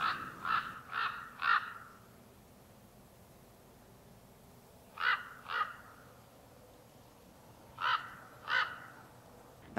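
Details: Common Ravens in a Dutch drift-sand area early in the season, with pairs courting and displaying in flight: deep, nasal croaks in short bursts of two to four with long pauses; the nasal call sets them apart from carrion crows. A man speaks quietly in places.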